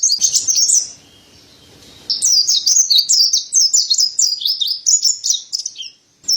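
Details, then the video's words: Mountain white-eye (pleci dada putih) tutor song: a short burst of shrill twittering, a pause of about a second with a faint low hum, then a long run of quick high slurred warbled notes. "Terapi Burung Pleci Dada Putih Gacor | Masteran Pleci Montanus"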